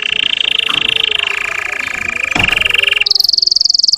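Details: Russian canary song meant to excite trainee birds: one long, even, rapid trill that drops slightly in pitch, then jumps to a higher, piercing trill.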